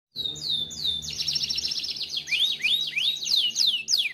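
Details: Timbrado canary singing a powerful training song: a sliding whistle opens into a dense buzzy trill, then rapid descending swept notes repeated about three times a second, all high-pitched.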